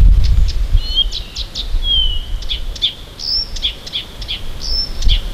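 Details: Siberian bird singing at dawn near Tomsk: a run of quick chirps, a long descending whistle, then further chirps and two higher level whistles, with some low rumbling noise at the start and end.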